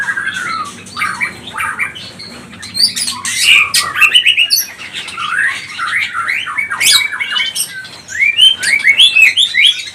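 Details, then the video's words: Energetic white-rumped shama song, pastol type, played as a lure to provoke other birds. A rich jumble of swooping whistles, harsh notes and rapid chirps continues almost without pause, with a brief lull midway. "BIKIN Murai batu pastol cepat bunyi gacor emosi"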